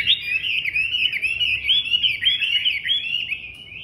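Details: A Chinese hwamei delivers a steady, loud stream of warbled whistles, bright notes wavering up and down without break, then fading out on a long held tone.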